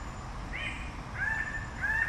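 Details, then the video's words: Three loud, slurred, level-ending notes from a red bird-of-paradise, the first higher and rougher, the next two spaced about two-thirds of a second apart, over soft background hum. "Canto del Ave del Paraíso Roja"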